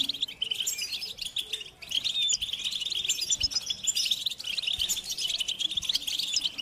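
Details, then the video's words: Many European goldfinches chattering, mating and readiness calls meant to make males sing: thick, continuous high twittering with rapid sparkling notes, a slight dip in loudness early on, faint low taps in the background. "Beautiful Goldfinches Chattering & Singing Sound in Nature"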